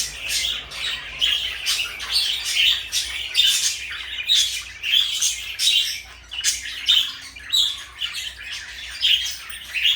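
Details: Blue and light yellow pet parakeets keep up rapid, high chirps and harsh squawks, short notes packed into lively runs with tiny pauses between, all bright and scratchy.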